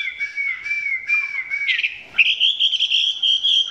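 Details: Chinese hwamei filmed at close range, its song not yet at full intensity; a long steady whistled tone, then a brief harsh burst and a higher sustained whistle running to the end.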